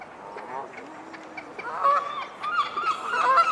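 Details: Two pairs of Great Crested Grebes at the Serpentine island trade harsh, nasal honking calls in quick bursts during a territorial dispute, growing louder and denser toward the end.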